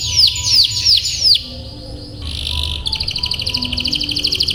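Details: Domestic canary song used as tutor recording for young canaries learning to sing and for teaching long rolls: a tour of downward-sweeping whistles about four per second, a brief buzzy note, then a rapid, even trill of repeated syllables.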